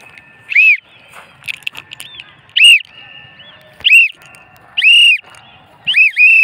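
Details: A free-flying pet lutino cockatiel, attacked by a kite and a crow during flight, gives loud, shrill, arched screeches repeated in irregular bursts about once a second.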